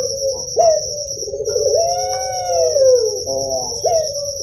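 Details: Young Barbary dove (Streptopelia risoria), a kept puter pelung, gives low, mellow coos: a long drawn-out note swells then slowly falls, with shorter coos around it, over a steady high electronic whine.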